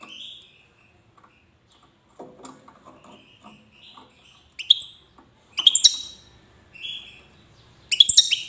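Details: European goldfinch, Wedani style, from Safi, Morocco: scattered high, sharp chirps and brief twittered notes with gaps between, plus soft low rustling and clicks.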